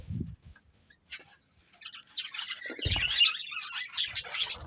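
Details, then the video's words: Budgerigars, a pair, chirping: quiet start with a low thump, then dense chattering warbles and squeaky chirps building from about two seconds onward. "Cute Budgies Chirping Sounds"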